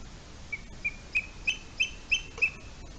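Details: Booted eagle eaglets at a nest in Spain, filmed by a nest camera on 23 July 2020 at 10:39 a.m., after one eaglet fell from a branch while preening. Six high, thin, clipped whistled notes, rising slightly in loudness, about three per second.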